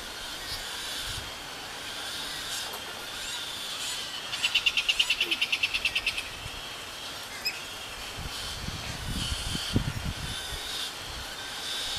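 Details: A pair of baby galahs being fed by their mother: a quick run of rhythmic, pulsed rasping notes lasting about two seconds mid-recording, then scattered softer rasps over a steady hiss.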